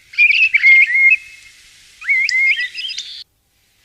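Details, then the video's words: Common starling singing a scratchy, warbling run of notes, then a rising wheezy phrase with squeaky whistles, ending abruptly. "Pássaro Estorninho,conheça o seu Canto ! Estorninho Malhado"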